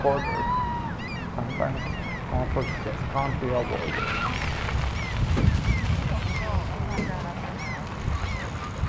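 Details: Barnacle geese in a crowded flock in Helsinki, Finland, during conflict that brings unrest to the flock; many short yelping barks overlap in quick succession, with a steady low rumble of background noise.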